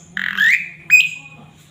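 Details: Singing male Asian pied starling, part of a training song full of fills: a buzzy, rising squeal followed by a sharp chirp that flattens into a held whistle.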